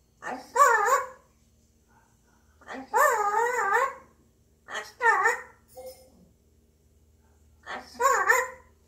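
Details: A pet grey parrot, cheerful, croons alone with wobbly, undulating humming phrases, several separate bursts of quavering tones with brief pauses between them, recorded indoors with little background noise.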